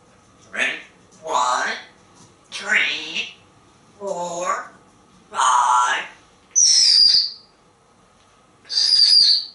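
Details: Male pet African grey parrot, hatched 1997 and kept at home in Texas, counting down toward corn: five short spoken syllables about a second apart, then two high whistled notes.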